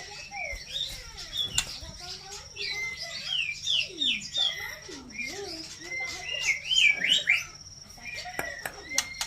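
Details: White-rumped shama in full song, pouring out varied, high, sweeping whistles, slurred swoops and quick twittered notes in a continuous rich stream, with faint speech and a steady background hum.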